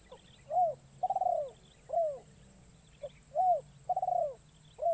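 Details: Spotted dove decoy in a forest, freshly trained and calling to lure wild birds. Two close phrases, each a short pip, then a smooth coo, a stuttering rolled coo and a downslurred final coo, loud against a faint low rumble.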